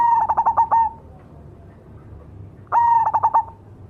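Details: Singing zebra dove of the cemani variety. Two phrases about two and a half seconds apart. Each is a held, soft coo that breaks into four or five rapid throbbing notes.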